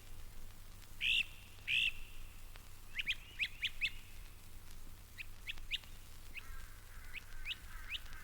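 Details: Great crested flycatcher's distinctive call, a dominant spring and early-summer sound at Mountain Lake Sanctuary, Lake Wales, Florida: two loud rising whistled wheeps, then shorter burry upslurred notes about every half second, over a low steady hum.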